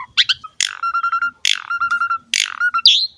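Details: Asian pied starling song used to prompt young birds to sing: harsh noisy bursts each followed by a run of evenly repeated short whistled notes, ending on a bright rising whistle.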